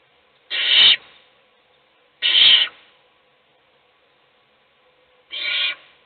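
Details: Barn owl parent feeding a chick in a nest box while the other chicks sleep; harsh hissing screeches, about half a second each, repeated three times at irregular gaps.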